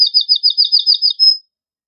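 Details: Male canary in excited song to stimulate mating, giving a short run of about nine quick paired notes ending in a thin high whistle.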